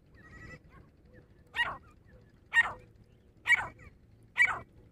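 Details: Grey francolin (dhakni teetar), female, calling in a fight: four loud, harsh, rasping calls spaced about one second apart, each short and broad, over a faint low background hum.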